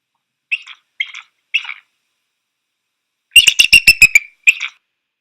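Bald eagle giving three thin, high chirps about half a second apart, then a fast, squeaky giggling run of seven notes and one final chirp.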